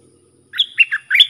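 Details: Song of a bulbul in the ดอกแตง style, used to train young birds. After a low hum, one brisk phrase of four or five loud whistled notes swoops up and down, ending abruptly.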